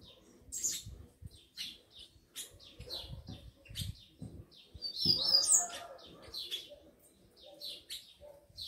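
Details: Tico-tico males, kept by a breeder and described as aggressive, with females nearby; quick high chirps are scattered throughout, with a burst of overlapping trilled notes in the middle and a low background hum.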